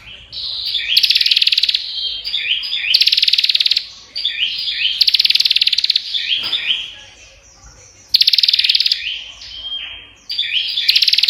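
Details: Nonstop song of a prinia (prenjak): dense, high rattling bursts of quick ticks alternate with chirpy, stepped twittering phrases, the cycle returning about every two seconds.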